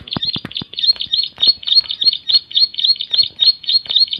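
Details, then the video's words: Ciblek, the bar-winged prinia, singing a loud, fast run of piercing high notes repeated evenly, about three to four each second, with some low taps at the start. "suara nyaring burung ciblek"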